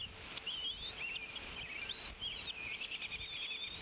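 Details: Female bald eagle at the Decorah N2B nest on 30 April 2016 gives her usual tea kettle call as the male flies in with prey, probably a rat, after morning rain. High wavering whistled chitter runs unbroken over a faint background hiss.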